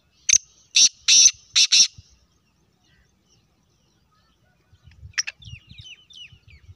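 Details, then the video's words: Black francolin giving a loud, harsh, grating call of five rasping bursts packed into under two seconds, then a pause before faint high chirps and soft low thumps. "Kala teetar ki awaz"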